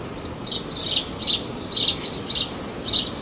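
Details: House sparrow at Praia de Pipa, Tibau do Sul, Rio Grande do Norte, Brazil, chirping steadily: about six bright, high, slightly harsh chirps in three seconds, evenly spaced, with little else heard.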